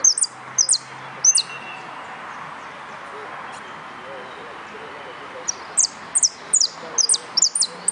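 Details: Yellow canary in competition at Concurso Nuevo Irupe, 22 09 13. High, shrill, downward-slurred chirps come in loose bursts, a long gap in the middle, then a faster cluster at the end. Faint room noise underneath.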